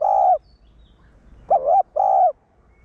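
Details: Spotted dove decoy, one-tail-note style, cooing to excite caged males: a steady coo ends, then after a gap comes a wavering coo and a longer level coo.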